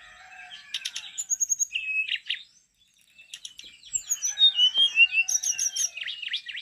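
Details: ['Brown-chested jungle flycatcher singing energetically. Dense clusters of quick chips and twittering notes give way, after a brief pause, to a rich jumble of rapid warbles, trills and high descending whistles.']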